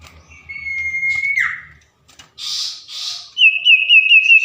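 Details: Common iora, a tame bird singing at night: one long even whistle ending in a quick downward slide, soft rushing notes, then a higher quavering trilled whistle.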